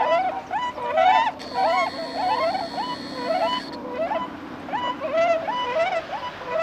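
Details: Swans landing on water during the spring migration north, recorded 5 March 2016: many overlapping bugling, honking calls with a rising-falling shape, densely repeated through the whole stretch, along with a steady mechanical whine partway through.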